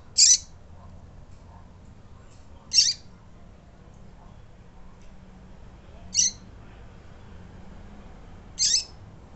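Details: Female double-collared seedeater chirping and calling to a male, giving short, high, sharp call notes about every two to three seconds against a faint low background hum.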